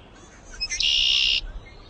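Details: Male Red-winged Blackbird giving its display song in the breeding season, a loud announcement to keep others off its turf: a couple of short clipped introductory notes, then a loud, harsh, buzzy trill lasting about half a second.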